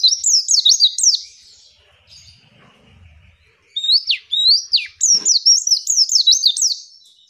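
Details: Female white-eye in a training recording: quick high chirps that sweep down, a short lull with a faint steady tone, then a longer run of bright repeated down-slurred notes.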